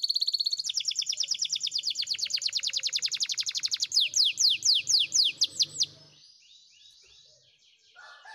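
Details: Spanish Timbrado canary singing for training: a long steady roll of quick repeated notes, shifting into slower loud downward-slurred whistles, then fading to soft, distant trilling for the last two seconds.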